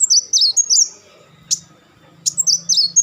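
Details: Van Hasselt's sunbird giving high, rapid, jerky chattering notes in short bursts separated by a single sharp tick, with a faint low hum underneath.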